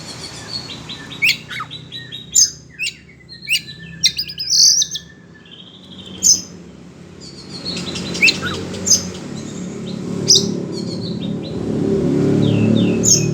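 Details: Agitated Oriental magpie-robin reacting to other birds, singing scattered bursts of varied whistles, trills and sharp chips, with louder low rumbling noise building toward the end.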